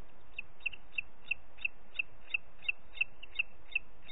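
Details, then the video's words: A booted eagle repeats a sharp, high whistle roughly a dozen times at a brisk, slightly uneven rhythm. Recorded in Parc Natural dels Ports on 30 June 2021 during late morning. "Àguila Calçada"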